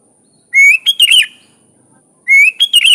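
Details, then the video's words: Sooty-headed bulbul in lively full song with wild-bird filler phrases, meant for tutoring other bulbuls: two bubbly phrases, each opening with a rising whistle and breaking into quick warbled notes, about two seconds apart, over a faint steady high hiss. "Suara Burung Kutilang Gacor full isian alam"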